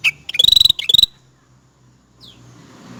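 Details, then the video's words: Cucak rante producing a fast buzzy trill of about a dozen even pulses at a steady pitch. A shorter trill follows, then a soft downward whistle after a pause, with light background noise. "Suara asli burung cucak rante buat masteran dan pikat"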